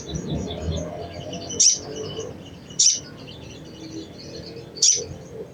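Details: Crimson sunbird cecretan chatter, used to stimulate other sunbirds into singing: three bright, very high clipped chips about one to two seconds apart, with faint twittering behind and a noticeable low rumbling background.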